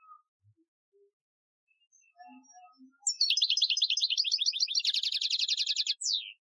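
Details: European goldfinch, Algerian training song style, 2015. A few quiet scattered notes give way to one long high phrase: jumbled chirps speeding into a steady buzzy trill, then a final downward-sliding note.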